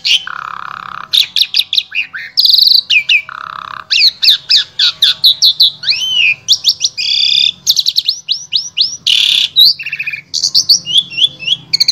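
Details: Asian pied starling singing a varied, rich song used to tutor other starlings, recorded in Wonosobo, Central Java, Indonesia: rapid mix of whistles, buzzy rasping notes, rising slurs and harsh squawks in dense continuous phrases.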